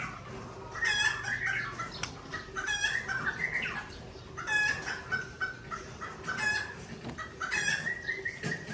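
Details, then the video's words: Tangse-origin Aceh white-rumped shama answering a rival bird: repeated rising whistled phrases about every one and a half seconds, broken by sharp clicking notes, with a faint low hum at the start. "Murai Aceh Original Tangse Bereng Sebeng Lawan"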